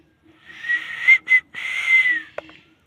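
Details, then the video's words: Airy parrot whistle, hissy and breathy, rising slightly, interrupted by a short gap, then a long tone sliding down, ending with a faint click. "Parrot 🦜 talking very cute"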